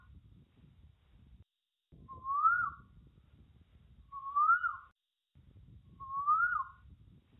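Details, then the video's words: An Asian koel in forest gives three loud, clear whistled notes, each swelling and rising, about two seconds apart, over a low background rumble. "Koel Bird Sound"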